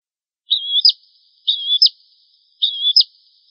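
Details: Bar-winged prinia song used as a tutor for caged birds: three separate high phrases, each a level buzzy trill ending in a sharp flicked note, spaced about a second apart.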